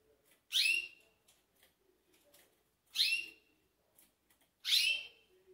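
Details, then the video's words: Close recording of a green pintagol before it sleeps: three strong, ringing whistled calls that slide downward, separated by gaps of about two seconds, with low murmuring between. "GRAVANDO PINTAGOL ANTES DELES DORMIR"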